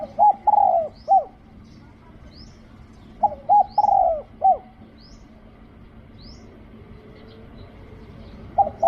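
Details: Spotted dove during decoy luring, giving three-part hooting coos, a short note then a long falling one, in two bouts about three seconds apart with a third starting at the end; faint high thin chirps from another bird between them.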